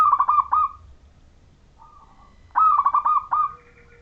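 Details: Majapahit zebra dove of local stock, singing freely with a clear voice meant to set other zebra doves calling. Two rolling coo phrases of rapid, throaty pulses, separated by a quieter single coo and a low background hum.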